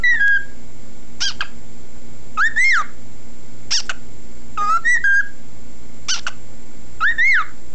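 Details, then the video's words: Pet male cockatiel, kept for 17 years, singing in whistles: clear rising-and-falling whistled phrases with bright overtones, given in short bursts about every second, with brief gaps between them, over a faint steady low hum. "singing (whistling)"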